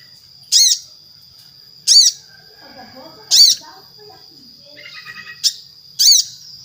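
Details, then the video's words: Crimson sunbird (sogon) lure sound: five piercing, high, short calls spaced roughly every one and a half seconds, a faint softer twitter between them, and a continuous thin high tone in the background. "Suara Sogon Gacor - Sogon Ijoan, Trotol, Macet Pasti Langsung Nyaut"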